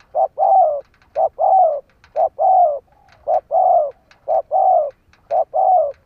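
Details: Caged decoy spotted dove calling to lure wild birds: six steady two-part coos, a brief note followed by a drawn-out falling one, repeated roughly every second.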